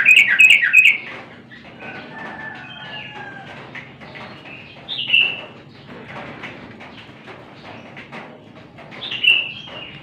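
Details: Yellow-vented bulbul in full song: a quick run of bright, bubbling notes at the start, then sparse short chirps and a final bubbly phrase near the end, over faint background hum.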